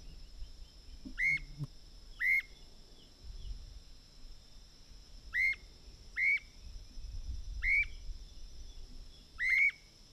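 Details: Streamer-tailed tyrant (Gubernetes yetapa), recorded 29 November 2008, giving short, sharp whistled notes that rise and fall, spaced one to two seconds apart over a steady insect hum.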